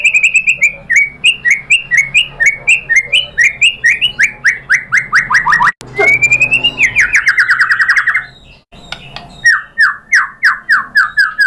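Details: Lure song of a white-rumped shama, played to draw other birds into singing: long trains of crisp falling whistle notes, a drawn-out sweeping phrase midway, then more rapid repeated notes.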